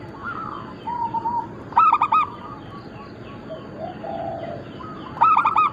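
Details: Local zebra doves of the Bangkok crossing type in a group. Two loud, rolling bursts of stacked coos sit about three seconds apart, with gentle, even cooing from other doves between them.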